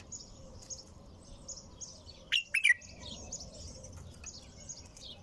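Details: Singing bulbul, nonstop: a single quick cluster of three rich, throaty notes at mid-clip, with thin distant twitters and low background noise around it.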